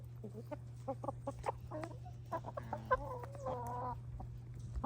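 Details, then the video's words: Pet hens eating a winter treat make soft, short clucks, then drawn-out tonal murmuring notes, over a steady low hum and light pecking sounds. "Sweet Chickens Make Cute Noises While Eating a Winter Snack"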